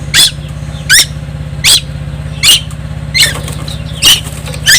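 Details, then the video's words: A young tuwu from Timor Island keeps singing: coarse, buzzy notes with a rough, uneven spacing of under a second, accompanied by a steady low hum in the background. "burung tuwu Pulau Timor gak pernah diam"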